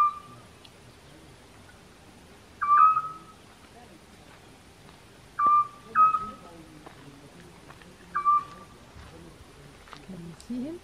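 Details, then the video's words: At least two owls calling in the evening at a campsite near Sartène, Corsica: short, clear whistled hoots of steady pitch every two to three seconds; light background hiss. "Owl Evening Sounds"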